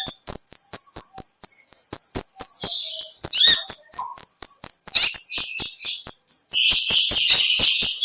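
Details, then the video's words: Konin, or kolibri ninja (olive-backed sunbird), in full vigorous song of the long ngekek panjang chattering type. A sustained stream of sharp, very high ticking notes runs steadily throughout, with denser, buzzier trilled bursts in the middle and near the end. "Original sound konin kolibri ninja suara lb ngekek panjang gacor"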